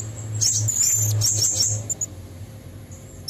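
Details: Female blue-crowned hanging parrot calling to lure red-throated males, a lure recording said to come from nature: thin, very high squeaky notes in quick bursts over the first two seconds, with a steady low hum beneath.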